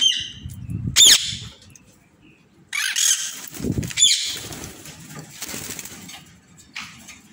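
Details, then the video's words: Aviary-kept Indian ringneck parrot letting out loud, harsh, high screeches at about one, three and four seconds, with noisy rustling and flutter between calls. "Ringneckparrot aviary"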